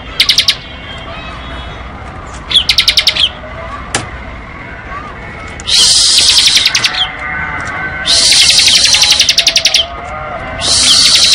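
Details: Bar-winged prinia ngebren song: short pulsed bursts, then longer dense buzzy trills repeated every couple of seconds, with faint background noise and a sharp click.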